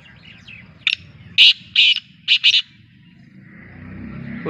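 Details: Black francolin gives a harsh, grating call of five loud buzzy notes, the last two close together, over a low background rumble.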